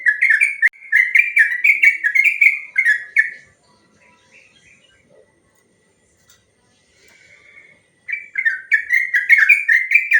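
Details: Yellow-vented bulbul delivering long ropel song as a training and provoking track: three seconds of fast warbled whistles, a quieter gap with a few faint notes, then another quick rich run.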